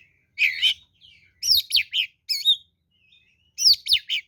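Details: Oriental magpie-robin giving a fighting lure song: paired groups of bright slurred whistles and rasping notes, separated by short pauses, with a faint thin whistle between groups.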